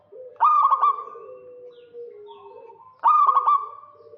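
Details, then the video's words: Local zebra dove calling to lure a rival: two loud phrases about 2.5 seconds apart, each a burst of stuttered cooing notes running into a sustained tone, with softer, lower coos from another dove between them. "Perkutut lokal GACOR KEROT MANCING LAWAN"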